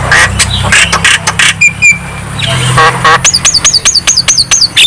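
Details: Javan myna song meant to rouse lazy mynas: harsh bursts and a few whistles, ending in a quick regular series of short descending chirps.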